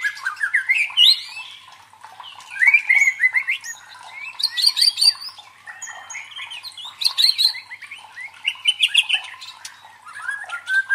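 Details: White-rumped shama song, used as provocation sounds for competition birds: separate bursts of rising whistles and high chattering roughly every two seconds, with softer twittering between phrases.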